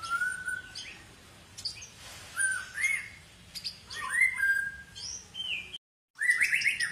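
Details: Long-tailed White-rumped shama of the Medan type singing scattered whistled phrases, rising and falling slurs mixed with sharp high notes and brief pauses, broken by a short silent gap near the end.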